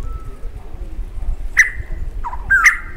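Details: Rusty-cheeked scimitar babbler breeding duet from scrub near fields in Kumaon, male and female singing separate parts: a clear fluty whistle, then a lower hollow note answered at once by higher whistles, over a low background rumble.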